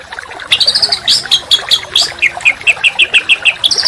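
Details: Contest songbird training material: a run of clear, sharp whistled notes that rise and fall, repeated quickly at roughly five per second, with softer chips in the background.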